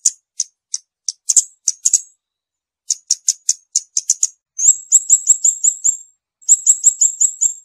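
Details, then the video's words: High-pitched song of a scarlet-backed flowerpecker: spaced sharp ticks quickening into runs, then fast trills of bright, even notes repeated in two bursts, very clean with nothing else audible. "เสียงนกชมพูสวน, นกขุนช้างขุนแผน, Scarlet-backed Flowerpecker Song."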